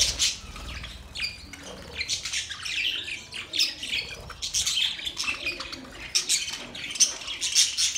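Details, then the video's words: Budgerigar mating sound: busy, high-pitched warbling in rapid pulses, squawky notes mixed with quick tweets, many birds seeming to chatter together without pause. "Budgies matting sound"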